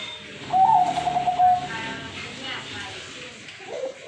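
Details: Zebra dove (perkutut) calling actively, giving a single high, fine-trilled coo held for about a second, with background noise and faint voices.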